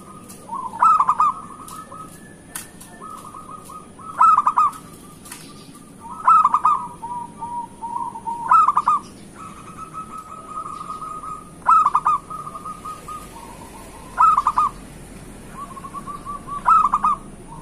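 A zebra dove sings soft, stuttering coos, each phrase broken by quick accented notes and repeated every two seconds.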